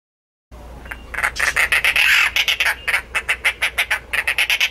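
A Dollarbird gives a harsh, rasping chatter: rough squawks run together, then break into a quick series of about two notes per second.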